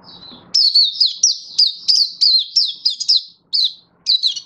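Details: Mata puteh, the Oriental white-eye, singing happy 'buka' song, 24 February 2023: after a soft lead-in, loud high chirps tumble out rapidly, each bending downward, in a lively uneven run with brief pauses.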